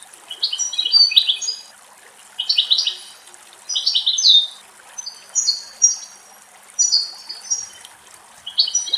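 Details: Two adult European goldfinches and two juveniles drink water in a forest in Greece, giving bursts of bright, tinkling twitters and buzzy notes, high-pitched and repeated.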